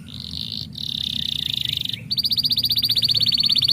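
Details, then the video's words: Canary song intended to stimulate other canaries: a sustained, buzzy, high trill, a short gap, then a faster, pulsing roll of bright repeated notes, over low background hum. "хутка стымулюе гук канарэйкі"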